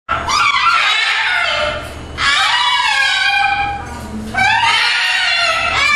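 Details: Pet flock of two blue-and-gold macaws, a scarlet macaw and two umbrella cockatoos screaming indoors while having fun, an average noisy spell; three long, loud, harsh screams with strong overtones, each about two seconds, almost continuous.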